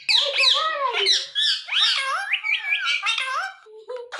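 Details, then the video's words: A pet Indian ringneck parrot talks in a raspy, squawky voice, calling "Mithu Mithu" and running several quick word-like phrases together with rising and falling pitch over about four seconds. "Speaking Parrot Calling Mithu Mithu"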